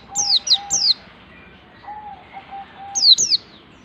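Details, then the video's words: White-eye of the wild 'ngalas' type practising its rapid 'nembak' song: quick, high, downward-sweeping chirps in short clusters at the start and end, over a faint, steady low whistled tone. "suara pleci ngalas belajar nembak ini bisa memancing pleci lain ikut ngalas dan gacor"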